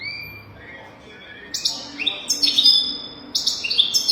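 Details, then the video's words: European goldfinch song played as a tutor recording for teaching young goldfinches to sing: a thin drawn-out whistle, then bursts of high, bright twittering and buzzy trills from about halfway on. "تغريد رهيب طائر الحسون حفاضة لتعليم طيور الحسون بدون أخطاء"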